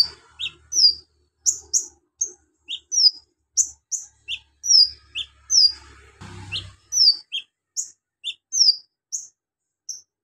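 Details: Javan magpie-robin (konin) song said to be filled with imitations of lovebird, cricket and golden grasshopper, used for tutoring other birds: sharp high whistled notes repeated in quick succession, with a brief noisy burst in the middle.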